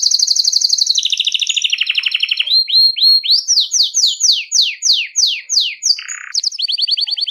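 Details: Bell-type 'campainha' song of a Belgian canary, sung nonstop to warm up canaries and train youngsters: a rapid high trill drops to a lower one, then swooping whistled notes and a final buzzy trill.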